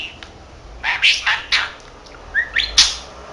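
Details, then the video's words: Pet budgerigar, a 13-month-old male who speaks Korean and Japanese, murmuring to himself in a few scratchy bursts and a short rising whistle, with gaps of near silence. "Talking Parrot 말하는 사랑앵무(잉꼬) しゃべるセキセイインコ"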